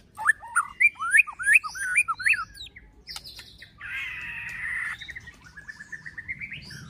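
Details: Murai batu (white-rumped shama) with 'pastol fighter' song to excite other shamas: a series of rising whistled upslurs about three per second, then a long harsh rattling buzz and soft twittering.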